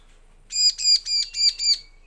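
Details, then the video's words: Bar-winged prinia song used as a lure to make males and females answer, also for tutoring magpie robins: five quick harsh, buzzy chirps in a steady row, ending in a thin high whistle. "Pancingan suara ciblek agar gacor jantan betina langsung nyaut"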